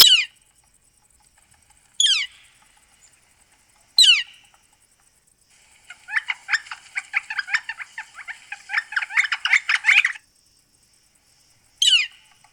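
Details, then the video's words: Northern flicker giving sharp, steeply descending "kleer" calls about two seconds apart. Between them comes a burst of busy, chattering notes, and one more "kleer" call closes the sequence. "Northern Flicker Call and Sounds"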